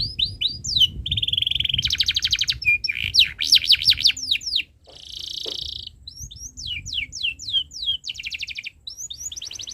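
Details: Canary song meant for teaching young birds, mixing sharp swept chirps, rapid rattles, wavering looped whistles and a long steady buzzy note, phrases shifting quickly with brief pauses.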